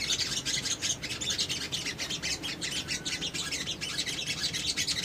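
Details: Little spiderhunter lure song: an unbroken, busy run of high-pitched chips and trills pulsing quickly throughout, sounding crowded and harsh.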